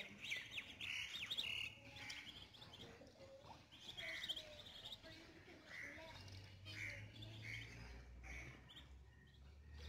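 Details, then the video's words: Chicks swimming, giving repeated high peeps that drop slightly in pitch, fairly evenly spaced, about four per second, with a low hum underneath. "This Swimming Chicks"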